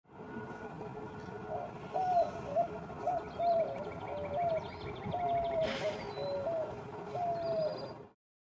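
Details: A white-winged dove in Austin, Texas, on 12 April 2023 gives a run of low, hooting coos in rhythmic phrases, with faint higher chirps from other birds and a brief rustling burst.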